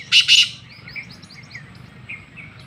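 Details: Black francolin from Sindh, Pakistan: two loud, harsh, rasping notes in quick succession open the recording, followed by faint chirps of small birds in the background.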